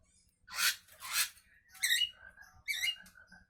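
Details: Javan myna at morning giving two long, broad, hissing screeches followed by shorter nasal squawks that trail into a thin whistled tail.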